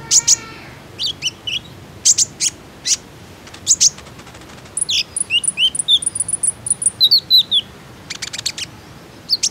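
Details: Common iora lure sound for encouraging ioras to sing: bursts of high ticking chirps alternate with a long stretch of quick, twisting whistled notes, ending in rapid clicking trills.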